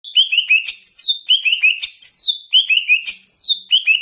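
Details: Caged greater green leafbird of the Banyuwangi type singing loudly and continuously: clear whistled phrases of short descending notes, each bout ending in a long down-slurred sweep, repeated roughly every 1.2 seconds.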